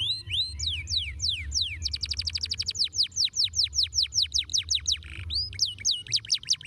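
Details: Canary song with loud, clear downslurred whistles, first slow, then repeated in a brisk rolling trill, ending with a few upswept notes.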